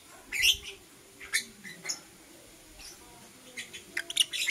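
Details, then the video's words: Blue opaline and euwing opaline lovebirds chirping in the morning: scattered high squeaky chirps, a pause, then a closing run of rapid sharp notes over faint low rumble. "Lovebird Chirping Sounds - Blue Opaline & Euwing Opaline"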